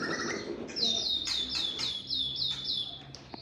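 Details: Male white-rumped shama song: a fast series of about seven high, ringing down-slurred notes repeated in quick rhythm, over a low background hum.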